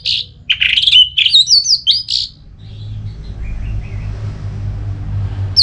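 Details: Orange-headed thrush singing a loud 'ngeplong' song used as therapy to make other thrushes answer and sing: a rapid burst of sweet, slurred whistles and chattery notes for two seconds, then a faint trailing phrase over low rumbling hum.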